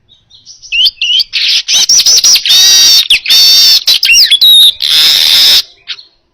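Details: Baya weaver singing, recorded as a training track for other songbirds: looping whistled notes open into a run of harsh buzzy chatters, long wheezing hisses and quick rising-falling slurred whistles, close and clear.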